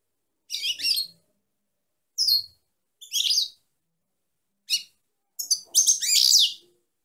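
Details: Singing female European goldfinch giving a series of short, high, tinkling twitters spaced about a second apart, ending in a longer rasping, buzzy phrase; quiet background.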